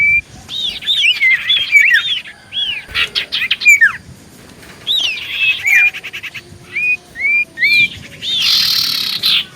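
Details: Common iora song used as a lure to trigger replies: arched whistled phrases and sharp downslurred notes in several bursts, a set of short rising whistles, ending in a harsh hissing rasp.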